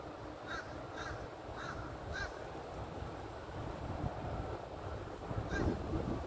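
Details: Small bird perched in a large tree, giving harsh, slightly nasal calls repeated about every half second in a short run, then one more call near the end, over steady low rumbling background noise.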